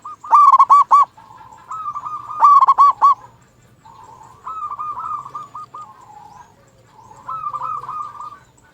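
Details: Local zebra dove in full song, used as a lure to make other zebra doves sing: loud bursts of rapid staccato cooing notes alternate with softer rolling, purring trills, repeated in phrases across the recording.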